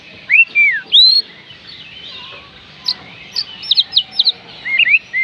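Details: Oriental magpie-robin song for rousing lazy birds: arched whistled slurs to begin, then a quick series of sharp repeated high notes and a closing twittering phrase.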